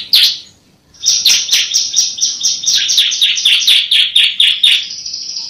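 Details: Bar-winged prinia (Prinia familiaris) song, used as a master or lure recording to prompt other prinias to sing: one sharp opening note, then a fast, even run of about a dozen high, buzzy chips ending in a thin sustained whistle.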